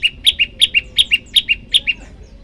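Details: Olive-backed tailorbird singing for a bird-training master track, variation style: six rapid couplets of piercing chirps, each a high note dropping to a lower one, repeated steadily with no other sounds.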